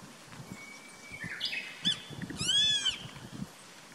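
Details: Grey-faced buzzard calling from a treetop in Japan on 14 April 2019: a high, clear whistle that swells then slurs downward, preceded by a faint thin whistle, over soft low rumble.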